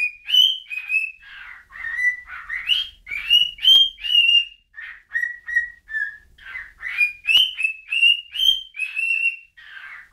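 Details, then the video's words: Bird whistling a long run of quick notes that rise and fall in pitch, clear tones mixed with rougher chirps and a couple of sharp clicks. "whistling bird"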